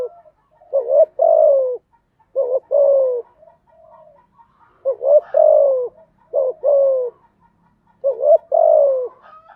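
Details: Spotted dove song for training new captive doves: low hollow phrases of two short rising notes and a sustained falling coo, repeated roughly every one and a half seconds with soft coos between.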